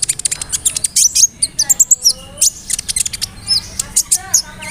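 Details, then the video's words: Sunbird (kolibri ninja) song used as a lure to provoke another bird to sing, with mimicked cricket, cililin, sparrow and cerr phrases; rapid high thin chirps and trills, quick downslurred whistles, steady low hum beneath. "PANCINGAN SUARA BURUNG KOLIBRI NINJA (KONIN) ROLL NEMBAK, ISIAN JANGKRIK, CILILIN, GEREJA, CERR"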